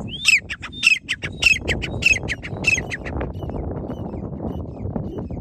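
Grey francolin giving harsh, high, screechy notes about every half-second for three seconds, then only faint calls over a low background rumble.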